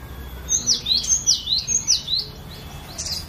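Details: Captive cinereous tit giving its varied training song: four or five crisp descending whistles repeated rapidly, each dropping steeply in pitch, then the phrase trails off into quieter notes.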